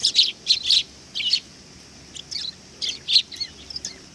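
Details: Sparrows arriving at a Tenmangu shrine to be fed, recorded 18 August 2020: bright, high chirps in quick clusters of two or three, with short pauses between bursts. Overlapping calls suggest several birds.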